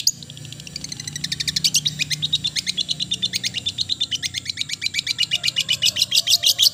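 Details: Long-tailed shrike sings a fast, steady series of short high notes, about three per second, slightly accelerating into a continuous chattering rattle.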